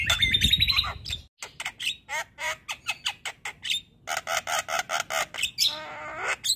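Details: Javan myna song meant to encourage lazy birds to sing, opening with a rough squawk, then regular loud clipped chirps and a closing harsh nasal phrase.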